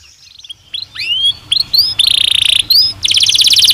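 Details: Canary singing in a cage in breeding season, starting with soft rising upslurs, then loud buzzy rattles and a dense rapid trill.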